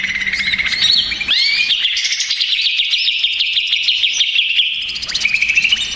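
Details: Excited greater green leafbird giving a lure song meant to provoke rivals. Begins with a sweeping upward whistle, then a long fast run of chattering, rattling high notes, ending in another rising slur.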